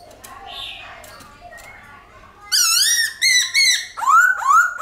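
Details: Murmuring background gives way to a White-cheeked laughingthrush's forest-style song: loud, wavering whistled phrases, then a few falling slurred notes.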